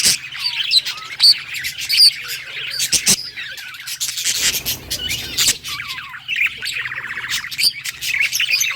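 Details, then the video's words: Budgerigars chattering happily, bright chirps and clicks with a rough scratchy passage in the middle, then a fast buzzy trill near the end; a low steady hum underneath. "Budgie singing happy | Birds chirping | Parakeet happy life"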